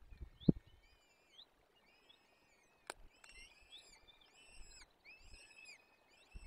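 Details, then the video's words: Peregrine falcon chicks at a forest nest in the Barycz Valley, Poland, fed on 17 April 2024: repeated arched, whining squeals roughly every half second, with occasional knocks and a sharp click. "Dolina Baryczy - Karmienie piskląt - 2024 04 17 sokoły wędrowne"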